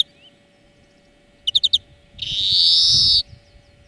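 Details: Greenfinch song used to train birds: a fast four-note trill followed by a long rasping wheeze, with a faint low rumble behind.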